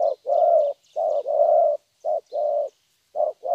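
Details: A young, wild-caught spotted dove sings loud 'thổ'-style cooing with a good voice: low, hollow coos grouped as a short note followed by a drawn-out one, with faint chirping of other small birds higher up.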